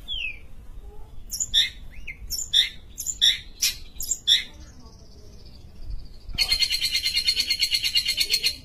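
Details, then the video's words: Sumatran long-tailed shrike, a lively singer valued as a master bird for tutoring other songbirds: sharp chirped notes in quick bursts, a thin wavering whistle, then a loud harsh buzzy rattle pulsing steadily for the last two seconds. "Pentet sumatra gacor"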